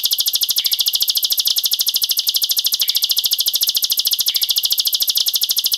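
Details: Bar-winged prinia singing a rapid, unbroken run of high, dry ticking notes, fast and steady throughout, with a faint rising chirp every second or so; used as a tutor song for young birds.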